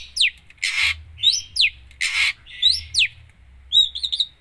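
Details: Vigorous long-tailed shrike song full of mimicry, alternating harsh rasping buzzes with sharp downslurred whistles about twice a second, closing with a short series of thin wavering high notes.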